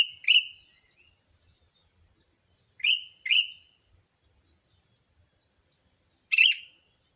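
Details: Bulbul-attracting lure of sooty-headed bulbul calls: a quick double chirp, then another pair near three seconds and a single rougher, buzzier note near six seconds, all short and bright over a quiet background.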